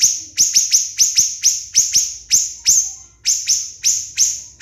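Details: Siri-siri bird song used as a training recording for contest songbirds: loud, sharp descending notes near the top of the range, fired in quick series with a brief pause, clean background.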